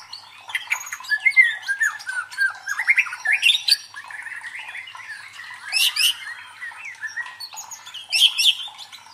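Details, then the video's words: Murai batu, the white-rumped shama, in provoking song for training the fighting nerve of contest birds. Rapid, varied whistles and chips are broken by loud, harsh, high squawky bursts near the middle and end. "MELATIH MENTAL FIGHTER MURAI BATU DENGAN SUARA PANCINGAN INI"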